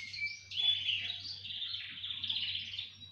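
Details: Canaries singing in chorus: a continuous high warbling stream of blended trills, moderately distant, with a steady low hum underneath.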